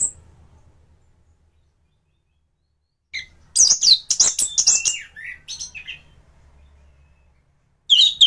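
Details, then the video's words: Thrush in top singing form, used as a tutor recording for training other thrushes: after three seconds of near silence, a dense burst of rapid, high, varied chirps and sweeping whistles lasting about four seconds, then a brief phrase at the end over a faint low hum. "Burung anis gacoran || masteran untuk burung anis"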